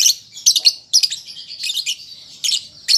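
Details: Young lovebird practising song with a short burst of shrill, grating chirps and a steady high warbling twitter, louder notes near the start, middle and end.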